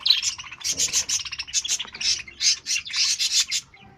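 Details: A colony of budgerigars chattering in a dense mix of scratchy chirps and warbles.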